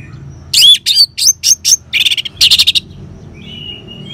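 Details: Orange-headed thrush delivering ngeban song used as a singing lure: loud, fast series of sharp, scratchy syllables, some whistled and some buzzy, ending in a soft drawn-out whistle.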